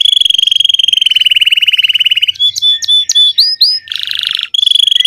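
A Belgian canary sings a fast, bell-like rolling trill for two seconds, then quick rising whistled notes and a harsh buzzy burst before the trill returns.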